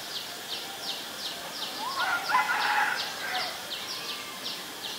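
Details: Asian barred owlet calling with a loud, wavering, harmonic bubbling phrase in the middle seconds, set against steady high chirps repeated about four times a second throughout.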